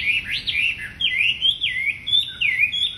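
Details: Wambi lure song for training other wambi: tight series of high, rolling whistled loops, each swooping down then up, flowing continuously for the whole stretch.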